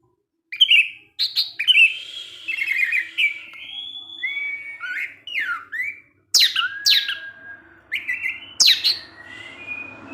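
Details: Orange-headed thrush singing in the evening in the excited 'teler' style, its song meant to provoke other orange-headed thrushes: varied clear whistled phrases, rising and falling, mixed with sharp clicks and brief pauses.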